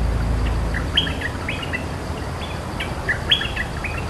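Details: Cream-vented bulbul, a resident territorial bird replying to a rival, with rapid clusters of clear warbled notes, several bursts within four seconds, over low background rumble.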